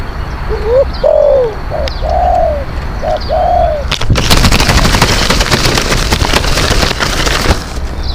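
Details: Decoy spotted dove for luring wild doves: a run of low, soft, bouncing coo notes with the longer notes curving down, then cut off by several seconds of loud harsh rattling noise.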